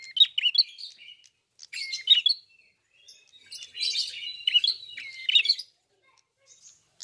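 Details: Red-fronted prinia, locally called prenjak kepala merah or klawu, singing in full voice: rapid jumbled bursts of high chirps and short whistles, with pauses between phrases.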